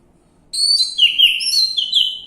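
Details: Orange-headed thrush lure recording intended to trigger singing: a rich, varied run of clear whistled phrases that slide downward and overlap, sung loud and continuously.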